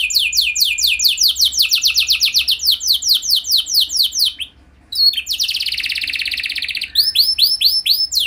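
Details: Canary song meant as a lure to set other canaries singing: quick descending sweeps repeated in long rolls, a short silence, then a buzzy sustained trill and spaced curved whistled notes at the end.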